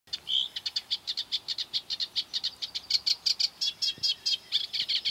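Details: Eurasian reed warbler singing on 12 July 2015 by the Doubrava river at Lišice, Svatý Mikuláš: a fast, steady chatter of short, scratchy, high notes, many repeated two or three times, with one clear whistled note near the start.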